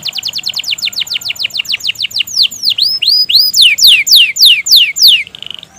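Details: Canary singing loudly and at length to coax silent canaries: a quick series of falling chirps speeds into broad, ringing swoops, ending in a short buzzy note, clear with little background noise.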